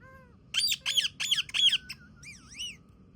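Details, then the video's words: Pet Indian ringneck parakeet chattering with its owner: four quick, sharp, high squawks in a row, followed by a shorter wavering whistled note, low household hum beneath. "Indian Ringneck Parrot Talking to Me"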